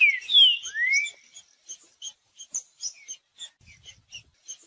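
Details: Green-winged saltator in 'macheando' song, meant to warm up and stimulate other males: opening rich whistled slurs, one falling and one rising, followed by a string of short high chips at an uneven pace.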